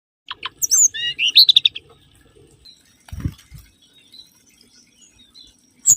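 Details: Mangrove whistler (kancilan bakau) lure song: a quick burst of sharp high notes and short whistles for just over a second, then near silence with one low thump and a faint rustle.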